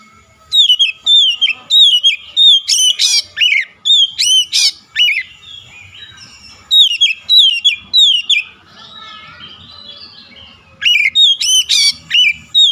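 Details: Oriental magpie-robin singing loudly as a rival lure: rapid runs of rich, varied whistled and chattering phrases, strong sharp notes repeated about every half second, a short softer warbled pause midway, then vigorous phrases resume.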